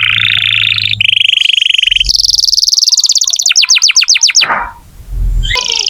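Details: Canary song meant to coax young or silent canaries to sing: a harsh broad trill, then a high steady rattling trill, speeding into a run of rapid falling whistles before a short pause.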